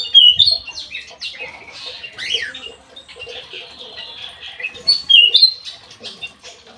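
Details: Black-naped oriole singing briskly at an aviary, sharp bright high notes mixed with buzzy slurs, a loud opening flourish and another strong burst near the end.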